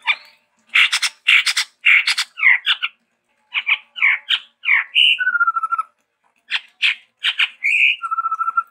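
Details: Energetic, varied song from a chestnut-rumped babbler, a bird endemic to Sumatra: clusters of loud harsh, rasping notes, each pause followed by a high whistle that drops into a fast, level trill.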